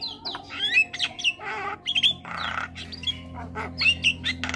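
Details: Mixed starling song for training birds and coaxing them into song: wavering whistles and chattering notes are broken up by grating squawks and a broad raspy burst in the middle, over a soft steady hum.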